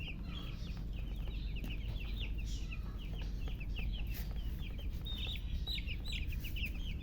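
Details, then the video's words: Newly hatched chicks keep up a loud, continuous peeping, the short shrill down-slurred notes tumbling over one another, with a steady low rumbling hum throughout. "Tot Murgi chicks chirping sounds Just Born Baby Gallina FRACAS Chicks Piar Loudly Sound"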